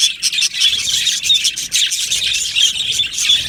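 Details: Aviary colony of yellow male budgerigars giving steady high chattering chirps, overlapping scratchy warbles with brief whistled notes throughout.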